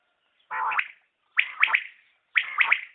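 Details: A common quail gives three short phrases, each a rapid pair or trio of bright, slightly rasping notes, with a second of quiet between them.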